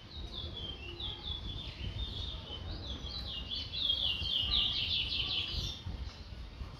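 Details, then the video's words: Towa towa, or chestnut-bellied seed finch, from Guyana, delivering a long, fluid warbling song of quick slurred notes. The song builds in loudness midway and then trails off, with a steady low hum and faint ambient noise. "towa towa bird"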